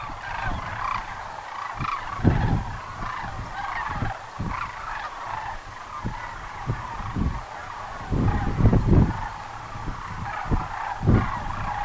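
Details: Sandhill cranes at Muleshoe Wildlife Refuge, Texas, heard as a dense chorus of many overlapping rolling, trumpeting calls that form a steady mid-pitched wash. Irregular low thumps and buffets, likely wind, break through every second or so.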